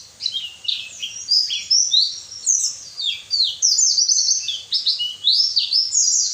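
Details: White-eye song played to make lazy captive birds sing: a high, thin, rapid jumble of twittering notes and quick downslurred trills, continuous and busy throughout, with a faint low hum beneath.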